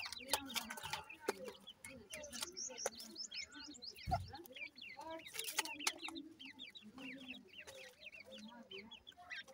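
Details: Francolin chicks being fed: a dense chorus of short, high, downslurred cheeps from many young birds, with occasional knocks and rustling underneath.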